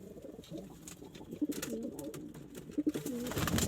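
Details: Domestic pigeons indoors cooing: low, rolling, throaty coos that rise and fall, repeated in several overlapping phrases. A short burst of rustling noise is heard near the end.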